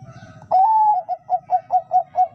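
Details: Zebra dove cooing: one longer, slightly rising mid-pitched note followed by a run of five short, even, repeated coos, spaced about a quarter second apart, in a quiet setting.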